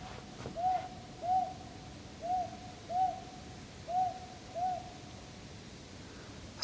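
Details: Owl calling from a tree in a Korean forest in drizzle: six short, soft, arched hoots at uneven intervals of roughly 0.6 to 1 second, with quiet background noise.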